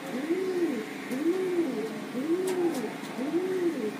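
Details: Pigeons of various breeds kept at home cooing in soft, low arched phrases, repeated roughly once a second.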